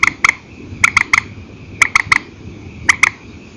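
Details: Night calls of a purple swamphen from an old file, in single and double style: short, bright clicky notes in quick pairs and triplets, separated by brief pauses over a faint low hum.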